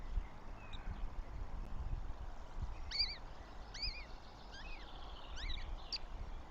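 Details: Goshawk chicks at their nest in Tartu, Estonia, 9 May 2025, begging with a run of four or five short, high, wavering whistled notes spaced about a second apart, set against a low, rumbling wind background.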